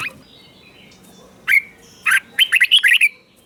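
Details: Caged red-whiskered bulbul song in Thailand, southern master-style phrasing, played to excite caged birds and teach young birds: a short whistled note, a pause, then a burst of rapid rich warbled notes near the end, over faint background hiss.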